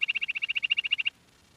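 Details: Quail uttering a quick burst of around fifteen sharp, high-pitched notes in about one second, evenly spaced, followed by quiet.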